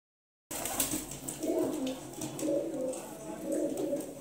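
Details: Kaldume pigeon indoors giving soft, low cooing phrases that swell and fade roughly once a second, with faint background hiss.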